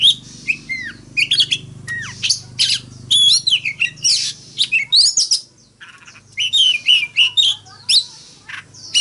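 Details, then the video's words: Oriental magpie-robin in fighting song sings a rich, varied song of sweet whistles, slurred notes and harsh chattering phrases, delivered in quick bursts with brief pauses over a faint low hum. "Tiếng than mồi hót đấu"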